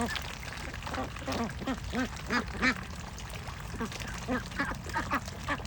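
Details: Ducks and ducklings, with Bashkir and Russian tags pointing to the Agidel area; a run of nasal, arched quacks about three per second, louder in the middle, with some higher calls and low background noise.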